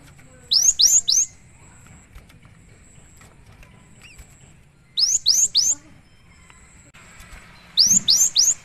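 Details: Great tit in lively full song, used as a training and lure recording: bursts of three quick high whistled strokes, each sweeping up then down, repeated about every four seconds, with faint chirps and a low background hum between bursts.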